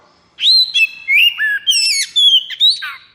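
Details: Kacer (Oriental magpie-robin) in high breeding condition pours out a continuous 'konslet' phrase: ringing whistles, slurred rising and falling notes and a few rough chatters in fast succession.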